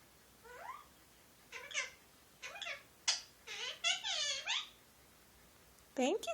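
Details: Talking pet Indian ringneck parakeet, a male, saying things like thank you and give me a kiss: a run of rapid, swooping, nasal syllables, several falling in pitch, then a pause and a last short squeaky word.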